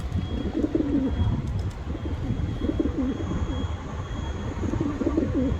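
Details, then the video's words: A pigeon gives low, throaty rolling coos in three phrases about two seconds apart, over a soft background hiss. "Pigeon sound Effect"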